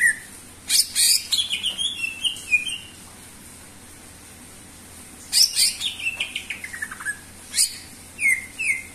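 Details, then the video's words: Greater green leafbird in energetic gacor song, used as a lure to get other birds singing: two bursts of rich, varied high whistles, rapid chirps and sliding notes separated by a quiet pause. "sura burung cucak ijo gacor cocok untuk pancingan"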